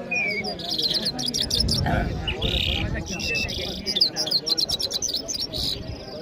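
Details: Mashhadi jal bird from Iran singing in Kabul, Afghanistan: a brief whistle, then clusters of high, rapid chirps and trills separated by short pauses, over background rumble, scraping noise and human speech.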